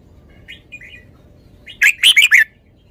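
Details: The caged red-whiskered bulbul gives a few quiet chirps, then a bright, loud phrase of four quick punchy notes.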